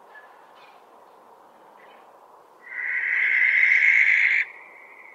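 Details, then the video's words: One loud, grating barn owl screech of nearly two seconds, preceded by faint shorter sounds and steady background noise. "Сипуха. Голоса птиц"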